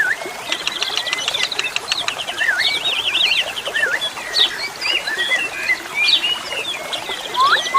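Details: Jalak suren, the Asian pied starling, delivers looping, warbled whistles and twisting slurs in rapid succession, with a few sharp upward notes, set against a constant wash of running water.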